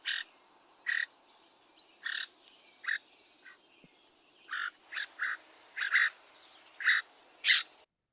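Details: Cliff Swallow giving its short chirr call, often heard around nests: about a dozen harsh, low, rattly, mechanical, unmusical notes spaced unevenly every half second to a second.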